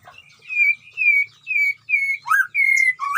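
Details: White-rumped shama kept in a colony breeding cage amid wild surroundings: clear whistled notes, each slurring slightly downward, repeated about twice a second, broken by a rising upslurred whistle, with faint low background noise.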